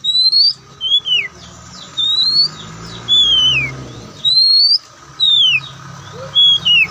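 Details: Oriental magpie-robin, white-breasted kacer, repeats clear whistled notes alternately rising and falling steeply, about every second, over a steady low rumble.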